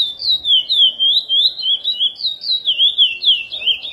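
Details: Curió (chestnut-bellied seed finch) in an edited praia Mineirinho song for tutoring: a lively stream of pure whistled, swooping notes, each dipping then rising, packed closely with only short gaps between phrases.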